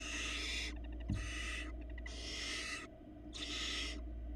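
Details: Barn owl nestlings at a nest in Florida, hatched February 2022, four young, begging while the female feeds them: harsh, hissing, broadband screeches about half a second long, repeated four times with short gaps, over a steady low hum.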